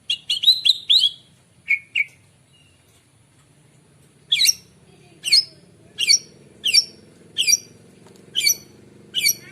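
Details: Morning song of a white-rumped shama, used as a lure for birds: a quick burst of bright notes, then a steady series of loud, sharp, squeaky notes spaced under a second apart over a low hum.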